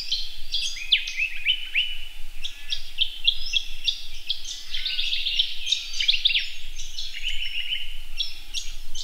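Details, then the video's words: A male Red-capped robin courting a female gives a busy run of high, dry chirps and short trills, almost without pause, over a faint low background hum. "Robin with a Red Cap"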